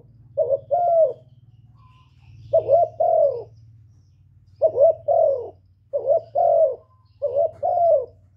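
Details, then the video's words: Spotted dove from Cà Mau, Vietnam, used as a lure recording, giving five paired coo phrases. A short note is followed by a longer, drawn-out falling coo, over a steady low hum. "TIẾNG CHIM KÍCH MỒI KÍCH BỔI CỰC HAY CỰC CHUẨN, CU GÁY CÀ MAU"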